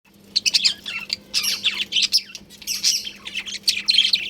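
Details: Budgerigars chattering as a colony, kept birds, with dense overlapping warbled chirps and squeaky twitters in rapid bursts, pausing briefly around one and two and a half seconds; a low steady hum runs underneath.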